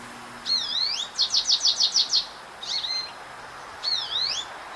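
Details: Two young American Goldfinches calling from a neighbour's apple tree: clear high notes with wavy sweeps, a quick run of about seven similar notes in a row, then a few softer chirps and another swooping call.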